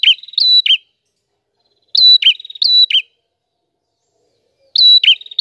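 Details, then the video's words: Loud, clear prinia song in bursts of paired phrases. Each phrase has a sharp steady whistle and a lower slurred ending, with quick ticking trills running between the phrases. No background noise. "Burung Prenjak Gacor Suara Jernih"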